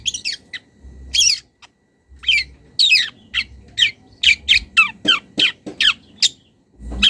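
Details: A young wild long-tailed shrike calls to a rival: a few scratchy notes, a pause, then a rapid run of clipped, downward-sliding chirps and harsh rasps, ending with one more harsh burst.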